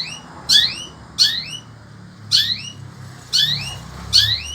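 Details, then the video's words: Sembur-type long-tailed shrike singing in the heat: five squeaky phrases, each a sharp note followed by a rising whistled slur, spaced about a second apart, over a low background hum. "Burung Cendet INI TETAP MELOCOR DOR"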